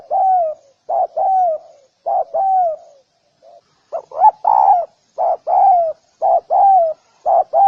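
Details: Spotted dove cooing in a steady series: paired notes, a short coo then a longer falling one, repeated roughly once a second, with a brief soft pause midway before the pattern resumes; nothing else audible.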